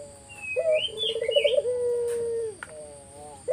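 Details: Collared dove song serving as a lure for other doves: one drawn-out phrase of a clipped first note, rolling vibrato coo and a long steady tone, with twittering birds above and continuous hiss.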